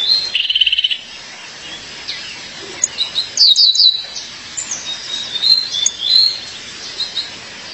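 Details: A female violaceous euphonia calls to her partner with a short buzzy trill early on, then clusters of high, sharp, down-slurred notes and scattered thin chirps.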